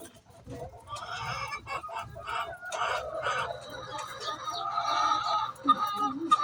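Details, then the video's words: Chicken calling noisily before laying eggs: repeated harsh clucks rising into drawn-out squawking cackles, steady and loud through the second half. "Chicken makes noise before laying eggs"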